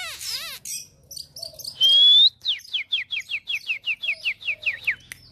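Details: Lure Oriental magpie-robin used to provoke fighting birds, opening with a harsh buzzy note, then a long pure rising whistle and a fast, even series of about a dozen sharply falling whistled notes.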